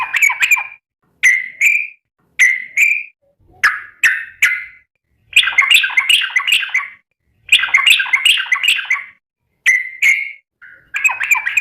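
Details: Yellow-vented bulbul calling to companions: short whistled notes repeated roughly every second alternate with longer, bubbly twittering phrases, all against a silent background.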